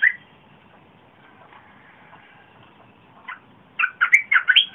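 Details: Red-whiskered bulbul, recorded 30 April 2021, its big, pleasant song meant to lure wild birds and to train young birds. A single whistled note opens, a long quiet stretch follows, then a short burst of loud, jumbled whistles ends the clip.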